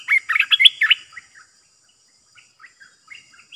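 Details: Bulbul decoy call for trapping. It opens with a second of rapid, bright, bubbling chirps, then trails off into soft scattered notes over a faint steady hiss.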